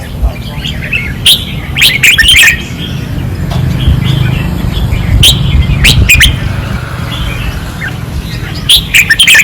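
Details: Caged red-whiskered bulbuls, Pattani training perch, 2024, singing fiercely: short clusters of sharp, warbling whistles at the start, around six seconds and at the end, separated by stretches of low droning noise.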